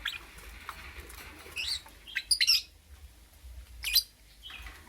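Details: Lovebird in the morning giving a few sharp, high chirps in short bursts, two close together near the middle and a louder one toward the end, over a quiet low hum.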